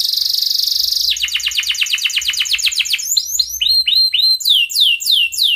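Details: Breeding-condition canary calling a rival in 'cuit cuit ngerol' style, a lure for young birds learning song. A high rolling trill gives way to quick chipping notes, then a series of clear whistled downslurred notes.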